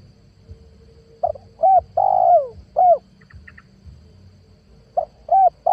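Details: Spotted dove lure call for catching wild doves: a cooing phrase of short hooked notes and a long descending coo, a brief high chirp, then the next phrase beginning, over low rumbling background.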